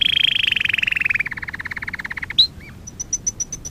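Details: Canary training song opens with a loud rolling trill that slowly falls and slows into distinct rapid notes, then a sharp chirp and a series of spaced high pips.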